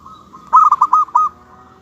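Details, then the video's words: Local zebra dove delivering a short, loud burst of five or six rapid staccato coos over a faint, continuous trilling coo from another bird. "suara kutut lokal"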